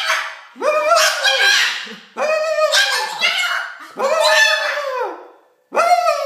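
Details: Indoor female Moluccan cockatoo talking to someone on a couch, voicing four separate drawn-out phrases, each a rough, warbling, speech-like sound rising then falling, with short silences between.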